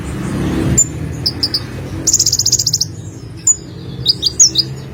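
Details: Lively olive-backed sunbird singing: scattered high chips, then a rapid ringing trill of around a dozen pulses, followed by sharp twittered notes and quick rising flourishes.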